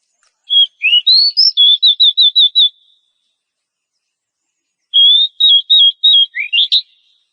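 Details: Female oriental magpie-robin in breeding condition calling the male: two bursts of high, clear whistled notes. The first rises into a run of about nine quick, even notes. The second has about seven notes ending in upslurred whistles. The background is otherwise silent.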